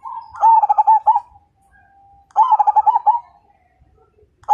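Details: Zebra dove of the Majapahit line, a keen fighter singer, gives two long rolling phrases of rapid beaded coos, linked by a faint steady tone, with another phrase beginning at the end.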